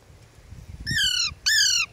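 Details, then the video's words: A pet ringneck or Alexandrine parakeet gives two harsh, buzzy squawks about half a second apart, each falling slightly in pitch, over a faint low background rumble. "Ringneck and Alexandrin Parrot"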